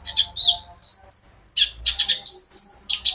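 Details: Short stretch of a caged sunbird's lively singing, meant to coax other birds to answer: clipped, very high chips and a rising whistled slur, fired off several times per second.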